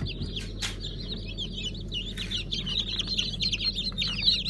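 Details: Newly hatched chicks of Fizan, Siyah Sultan, Silver Wyandotte and Brahma breeds, hatched 15 July 2019, in a dense chorus of high, short peeps that overlap constantly, over a steady low mechanical hum.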